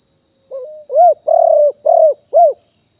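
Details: Wild-stock spotted dove kept as a decoy to lure wild doves, recorded live in 2021: a single phrase opening with a soft wavering note, then four mellow coos, the middle ones longer and buzzier, ending on a short rounded coo. A constant thin high tone hums behind.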